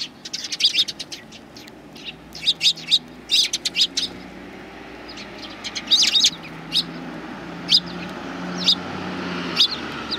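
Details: Several sparrows greeting the filmer on 7 April 2020, on the way out, one with an injured foot; bright high chirps in scattered bursts, some quick clusters, others single, over a low steady background hum.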